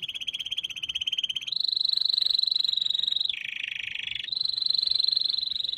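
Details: Canary singing long, even rolling trills at a steady pitch that shift abruptly between higher and lower levels every second or two, fast pulsed and slightly buzzy, with no other sounds.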